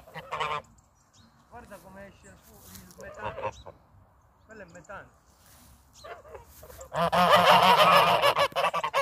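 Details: Geese giving short, scattered nasal honks in bursts separated by quieter stretches, then a loud, continuous clamour of overlapping honks over the last two seconds.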